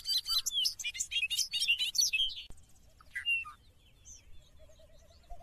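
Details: Bobolink giving a fast, effervescent tumble of sharp metallic notes and buzzy slurs for over two seconds. A sharp click follows, then scattered single chirps and a faint low warble.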